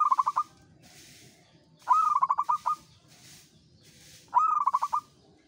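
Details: Local zebra dove (perkutut) singing steadily in the ngayer style: three phrases, each a rising opening note followed by a quick run of about seven short, evenly spaced staccato coos. Soft rushing bursts sound between phrases.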